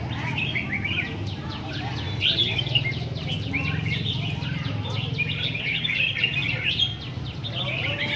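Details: Caged red-whiskered bulbuls competing on a display rack sing continuous bright, sharp, twittering phrases, many birds at once, against a low background murmur of people.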